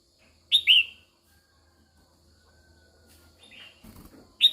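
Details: Female red-whiskered bulbul singing to stimulate males: a bright rising-then-falling two-note whistle, a long pause with a faint softer note and a low thump, then the start of another loud phrase.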